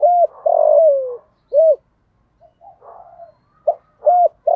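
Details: Decoy spotted dove with a "thổ"-style voice, calling to lure other doves: a short coo, a long rough falling coo and an arched coo, a quiet murmuring gap, then further arched coos.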